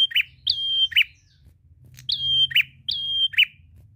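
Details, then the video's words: Prinia giving loud, continuous song, used to coax silent birds into singing: phrases of a sharp note, a steady high whistle and a buzzy downward ending, paired with a short gap, over a soft hum. "Prenjak gacor ngalun ampuh pancing bunyi burung ngetem"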